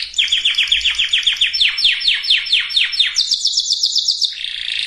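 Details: Breeding-preparation canary singing: a run of repeated swooping notes, quick at first and then slower, followed by a high rapid trill and a lower buzzy roll.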